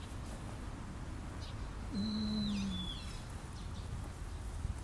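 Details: A long-eared owl parent and young on Tsushima: a single low, drawn-out hoot nearly a second long, with a thin high squeaky whistle sliding down alongside it, over a steady low rumble.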